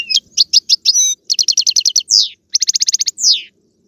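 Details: Goldfinch song played to encourage a pet European goldfinch to sing: evenly spaced sharp chirps, a rapid run of repeated notes, a falling buzzy slur, then another quick series ending in a downward slur.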